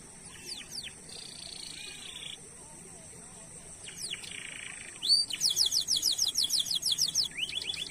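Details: Canary singing as a lure to start other canaries: quiet opening with scattered thin whistles and soft buzzy rolls, then a loud, fast, rattling high trill of falling notes.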